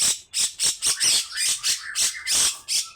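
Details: Grey-cheeked bulbul in a short run of coarse, scratchy besetan notes, each loud burst lasting about a quarter second and following closely on the last.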